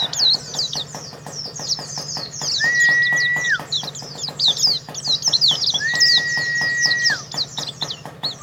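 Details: Oriental white-eye, a contest-winning pleci in the jetboy style, pours out continuous thin, high twitters and chirps while a long steady whistle tone sounds twice, with background clicking.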